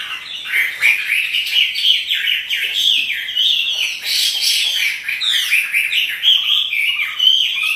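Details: Energetic song of a kept Chinese hwamei while dancing, with dense, continuous whistled phrases, quick up-and-down slurs and rattling trills flowing almost without pause, about one phrase each second.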